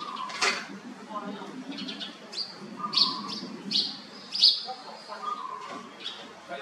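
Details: Red-whiskered bulbul kept in a cage, uttering sharp high chirps and brief whistled notes roughly every half second to second, with a constant low hum and faint background noise.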